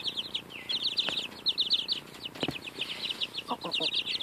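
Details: Chicks close to two weeks of age eating a strawberry, giving steady rapid high-pitched peeping in short runs, punctuated by several distinct pecking clicks and knocks.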